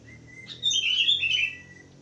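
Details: A brief, lively budgerigar warble of bright, tangled whistled notes over a steady thin tone, lasting under a second.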